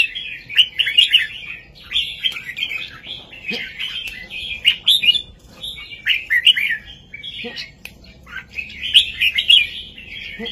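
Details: Heavy, clear southern master song of a red-whiskered bulbul, meant to excite birds and teach youngsters, repeating rich warbled phrases of about one to two seconds with brief pauses.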